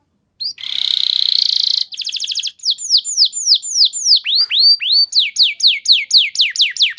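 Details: Singing canary used as a lure song for training, a held buzzy note, quick trill, then a repeated series of sweeping, slurred whistles.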